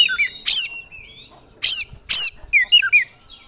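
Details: Oriental magpie-robin (kacer) in active gacor song that shows off its isian repertoire: slurred whistled notes up and down, cut by three loud harsh rasping bursts, then quick twisting whistles.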